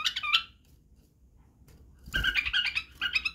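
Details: Badrawi bulbul, the white-eared bulbul, giving a training song for chicks. A brief rapid twittering phrase is followed by a quiet gap, then a low thump and further chattering phrases.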